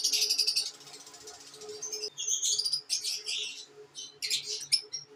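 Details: Pet lovebirds: a harsh, buzzy, high burst of chatter opens, then quieter squeaks, followed by a string of sharp whistled chirps and scratchy twitters.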